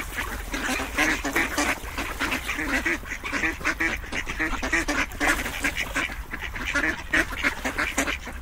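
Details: A steady chorus of many ducks quacking at once, raspy calls layered without pause and holding an even loudness throughout.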